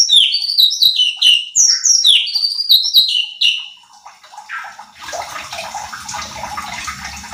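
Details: Cucak cungkok bulbul on a training lure recording: a rapid series of descending whistled notes for about four seconds, then a broad hissing, rushing noise takes over.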